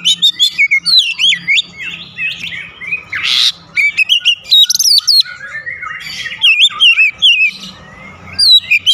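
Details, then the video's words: Lively gacor song of an Oriental magpie-robin, a nearly continuous run of varied whistles, slurred rising and falling notes and scratchy buzzes, with a brief harsh burst in the middle. "memancing suara Kacer cepat ngeplong rajin bunyi gacor tiap hari"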